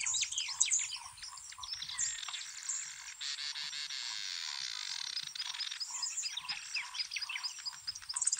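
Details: Southern masked weavers at a communal nest shared with White-winged Widowbirds at Transport Dam, Kruger National Park: busy chatter, a dense sizzling, buzzy wash and quick high chirps layered over one another, the widowbirds' zeh-zeh-zeh among them.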